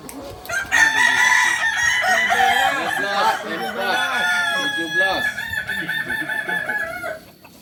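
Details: Kukuak Balenggek chicken, a singing rooster breed native to Solok, giving a long, wavering crow of layered tones that rise and fall in many bends and undulations over about six seconds, then fade out.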